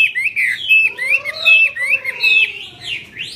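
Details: Cage-kept Chinese hwamei singing with outspread wings: bright, slurred whistles with rising and falling sweeps, over a fainter, lower, drawn-out tone beneath.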